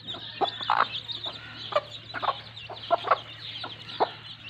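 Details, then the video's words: Broody hen clucking among her chicks in mud, a series of short, throaty clucks over steady high peeping from the chicks and a faint background hum. "Muddy FUN with Mama Hen and Her Adorable Chicks || Beautiful broody hen"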